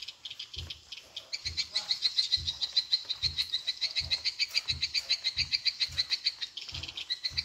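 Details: Edible-nest swiftlet attraction sound in the Tripel Queen style: buzzy, fast-pulsed high chirping, several pulses per second, steady in pitch, with regular faint low thumps beneath.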